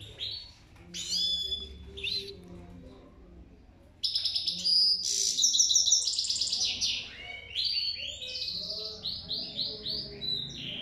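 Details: Goldfinch song with liquid, high twittering phrases. Buzzy trills are mixed with bouncing, repeated notes, and the singing grows louder and more continuous after a brief quieter start.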